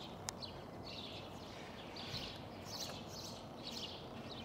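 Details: Black redstart (Phoenicurus ochruros) song in Karlovško predmestje, Ljubljana, on 11 April 2023: short, scratchy, high-pitched bursts repeated about once a second, over steady hiss and a low rumble.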